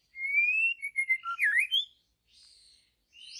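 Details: Wild forest white-rumped shama singing a loud clear rising whistle followed by quick slurred notes and a sharp downward-upward twist, then soft buzzy high phrases after a pause.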